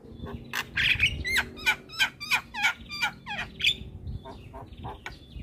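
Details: Javan myna, a lively singing bird used as a training master, giving a steady series of harsh, squeaky chattering notes about three per second, some whistled and clicking, over low background hum.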